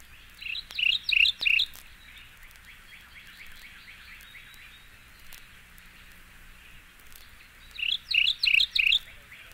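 Mourning Warbler song: a short burst of four or five rich, rolling chirry notes, repeated after several seconds, with a fainter distant bird between.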